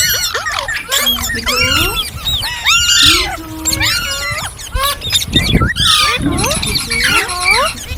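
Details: Talking, singing ringneck parrot: arched whistles and harsh honk-like squawks overlap in busy bursts, with a brief lower drawn-out note and gaps of quieter chatter.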